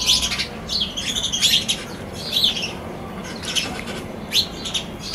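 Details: Sparrows on a balcony giving bursts of short, high chirps and twitters in irregular clusters, with brief pauses between bursts over a steady low background hum.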